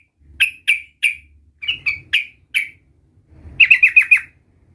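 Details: Sooty-headed bulbul, young and learning its 'ngerol' rolling song, gives spaced single chirpy notes in twos and threes, then a quick burst of five rapid notes run together.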